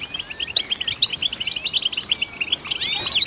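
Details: Goldfinch twittering in quick, high chirped phrases with sliding whistles, ending in a rising-and-falling buzzy flourish.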